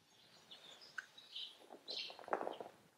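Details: House sparrows calling: scattered short chirps, some bright and high, others lower and throatier, with a cluster of louder notes near the end over faint background noise.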